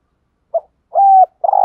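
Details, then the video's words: Spotted dove used as a lure bird for wild doves: a short soft note, then a smooth level coo, then the start of a rough pulsing rolled coo. "tiếng chim cu gáy mồi chuẩn kích bổi hiệu quả"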